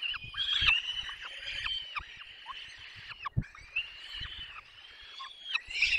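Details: Peregrine falcon chicks being fed at length at their nest in the Barycz Valley, Poland, on 6 May 2021. The chicks give thin, wavering, drawn-out wails that rise and fall, in overlapping series with brief gaps and soft low bumps.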